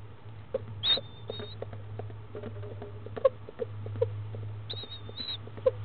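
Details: Barred owlet in Florida on 19 February 2015 at 10am, hatched about 6am, eating its second meal: two thin, high whistled peeps, one early and one near the end, over a steady low hum with soft tapping and rustling.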